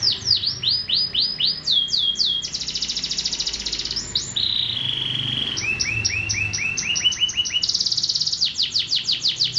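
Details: Long canary song phrase: descending sweeps, a buzzy high trill, a steady whistled roll, spaced rising chirps, another buzzy trill and more sweeps, over faint low hum.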